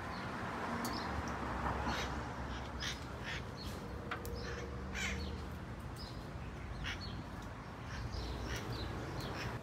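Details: Red-masked parakeets in Kapiolani Park, Waikiki, Honolulu, Hawaii, in July 2024: repeated harsh, raspy screeches, many overlapping in quick irregular bursts, over a constant loud low rumble of traffic or city noise.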